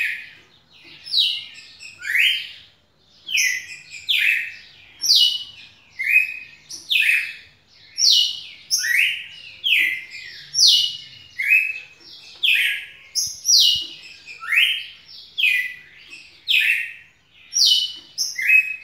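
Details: A red-cowled cardinal, singing a lot as it returns to its activities, gives a steady string of rich, clear whistled phrases, about one each second; recorded 9 November 2018.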